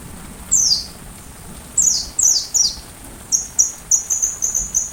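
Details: A sunbird sings as model song for a white-rumped shama: several high, downward-slurring notes, then a string of short, level, clipped notes in quick succession.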